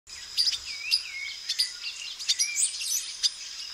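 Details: Male silver-beaked tanager singing: a busy run of high, thin chirps and short slurred whistles, some sliding down, over a steady high insect-like hiss.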